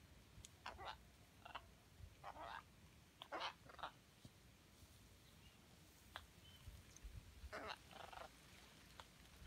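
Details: Scarlet macaws in Costa Rica, January 2018, give harsh, raspy squawks in short irregular bursts, some doubled, over a low rumble of wind.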